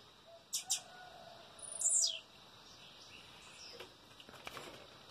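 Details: Blue-black Grassquit around 6 in the morning on 25 March 2023, described as fighting, gives two quick dry ticks, then one high, buzzy, downslurred note. Fainter clicks follow over a soft background hiss.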